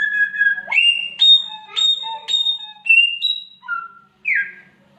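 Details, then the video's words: Samyong, the clever mimicking bird, giving a series of pure whistled notes at stepped pitches, several short sharp upward flicks, a brief pause, then a buzzy falling squeal; light hum in the background. "SAMYONG MENIRUKAN SUARA KUCING KAWIN, BURUNG PINTAR SI PENIRU SUARA ANEH"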